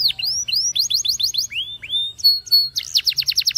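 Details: Canary of the Spanish timbrado breed singing for training, with upswept whistles, a chattering run, slow rising glides and a ringing held note, ending in a rapid bright trill.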